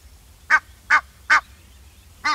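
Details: Egyptian goose giving harsh, nasal honks, four loud even blasts spaced about 0.4 seconds apart, each rich and buzzy, with a faint low hum underneath.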